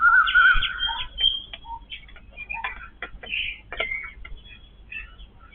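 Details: Yellow-billed babblers feed as a family group. A loud, wavering squeal opens, followed by scattered short clicks and chirping squeaks.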